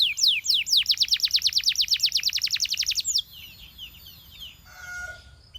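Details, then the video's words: Belgian canary singing to attract other canaries: a rapid run of steeply falling high whistled notes for three seconds, then softer twittering and a faint burst of other sound. "A Special Canary to Seduce All The Canaries - The Belgian Singing Canary"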